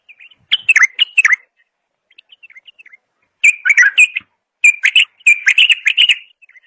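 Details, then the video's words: Bulbul alternating soft, thin twittering with loud, dense bursts of sharp, quickly repeated notes. "اجمل صوت بلبل"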